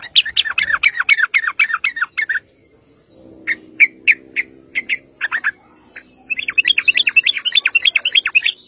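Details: Sooty-headed bulbul in energetic chatter used as a lure to make others answer: a quick run of rolling notes, a few spaced chirps over a faint hum, then another fast chattering run.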